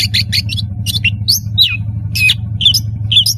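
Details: Long-tailed shrike with melodious song, played to help young birds learn sounds; short scratchy chirps and sliding whistled notes stand out over a constant loud low droning hum.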